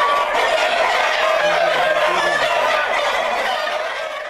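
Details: Breeder flock of Black Jersey Giant chickens, kept to produce hatching eggs, chattering in quick overlapping clucks and squawks, several calls a second, fading slightly toward the end.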